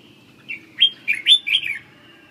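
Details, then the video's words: A single short phrase from a red-whiskered bulbul: four or five lively, slurred whistled notes packed into about one second. "chim Chào mào"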